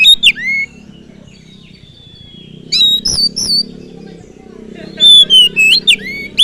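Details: Oriental magpie-robin song used as a lure to fire up other birds: loud whistled notes with sharp rising and falling slurs in three bursts separated by pauses, over a low steady hum.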